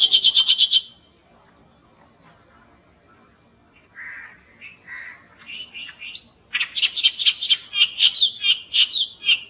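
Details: Clamorous Reed Warbler, recorded in India, singing loud, high bursts of harsh, rapid chattering that alternate with brief whistled and croaking phrases, over a thin, steady insect-like whine.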